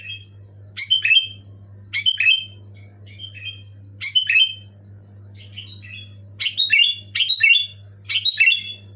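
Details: Loud, clear Sooty-headed bulbul song, used to stir silent pet bulbuls into singing: short gurgling whistled phrases separated by pauses, quickening into a run of bursts near the end, with a constant high tone and low hum behind.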